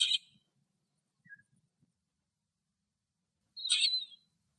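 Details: A lesser grey shrike (Lanius minor) sings in Greek nature: two brief, harsh chattering phrases about three and a half seconds apart, with a faint thin note between them.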